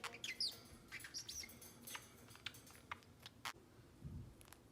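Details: Pet male Pacific Parrotlet, seven months old, indoors, giving short high chirps and faint clicks, with quiet squeaky notes scattered through the clip over low room noise.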